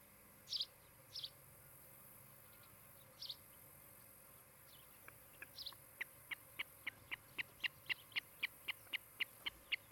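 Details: Osprey at a nest in Charlo, Montana, on a nest camera on 16 July 2018 in the afternoon: after a few scattered high notes, a steady run of short, sharp whistled chirps repeats about four times a second.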